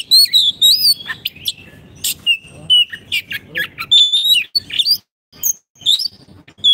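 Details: Oriental magpie-robin, a caged bird, in full song for training other birds: loud, varied whistles rising and falling, mixed with harsh chips and sharp clicks, delivered in quick bursts separated by short silences.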